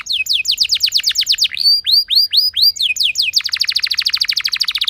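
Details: Canary in full rolling song, played to get other canaries singing: quick falling whistled notes, a few slower upward sweeps, then a long rapid trill of dense repeated pulses.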